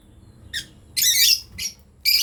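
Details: Lovebird breeding pair calling: a short sharp chirp, then a longer harsh, grating squawk-like note, followed by two more rasping chirps.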